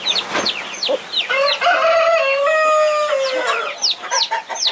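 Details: A mother hen defending her 21 chicks: a few peeps and clucks, then a loud, sustained harmonic call nearly two seconds long that falls slightly, followed by more high chick chirps.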